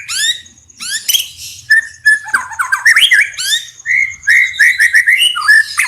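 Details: White-rumped shama singing loudly, used as a master recording for training other birds: a varied stream of clear whistles, sliding notes and rapid rattling phrases with sharp high chips, continuous and energetic.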